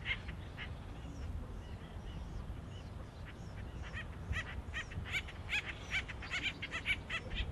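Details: Acorn woodpecker family with chicks nearly ready to leave, in an urban nature area by the American River, give harsh, nasal, quacking calls in quick overlapping bursts, growing busier, over a steady low rumble.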